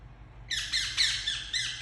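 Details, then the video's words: Pet Indian ringneck parakeet giving a loud, rasping squawk series indoors: after a short quiet start, harsh, noisy notes run together with slight downward dips, over a constant low hum. "Super Cute Ringneck Parrot Making Sounds"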